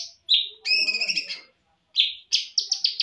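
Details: A champion greater green leafbird, recorded as a song-training model for other birds, pours out a loud, varied song of rich whistles and harsh chattering notes, ending in a quick run of bright descending chirps.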